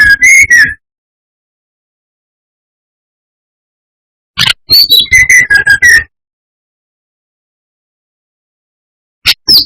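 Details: Lure recording of a lively brown-chested jungle flycatcher, meant to make rival birds aggressive: short bursts of rapid whistled notes broken by long silences, the central burst a fast chattering string of high and lower whistles.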